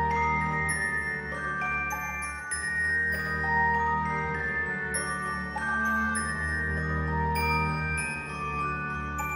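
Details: Bright glockenspiel-like melody with chiming struck notes over a soft low backing, music only and no animal voices.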